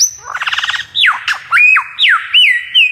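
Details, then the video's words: Magpie-robin song used as a training recording for other birds: a high whistle and a quick buzzy trill, then loud, clear whistled notes that slur down or swoop up, each about half a second long. "masteran burung murai"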